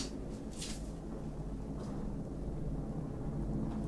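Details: Indoor low rumble and hum with a couple of brief hissy bursts, and no distinct animal call.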